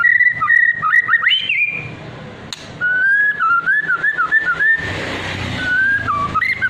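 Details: White-rumped shama singing trotol and pastol song styles, used as a lure to make other shamas answer and sing loudly; clear whistled phrases, some long and level, others wavering and stepping up and down, with a brief sharp click midway.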